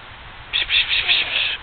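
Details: Black-throated blue warbler (Setophaga caerulescens) song in spring, recorded in trees at Great Neck, New York, on 8 May 2009: a lazy run of about five buzzy, husky notes over one second, with faint background hiss.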